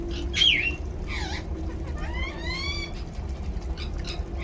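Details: Rose-ringed parakeet calling while taking a shower: a sharp loud squawk, a dipping harsh note, then a series of rising, harmonic-rich whistled screeches, with steady running-water noise underneath.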